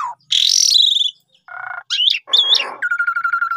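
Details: Asian pied starling song played as a lure to make birds sing: varied loud phrases, a harsh rising sweep, a low buzzy burst, twisting whistles and a steady rattling series of clicks.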